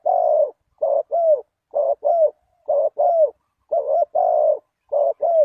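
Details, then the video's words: Spotted dove lure call, played to draw in wild doves: low, mellow coos in quick clusters, often in pairs of two or three notes with short gaps, about a dozen coos in quick succession, with no other sounds. "Chim cu gáy chiêu kích mồi tập bổi nhanh nổi hiệu quả"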